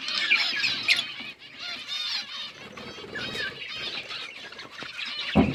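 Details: Budgerigars feeding, October 29, 2023: chattering, wavering warbles and squeaks from a group, softer in the middle, ending with a sharp knock.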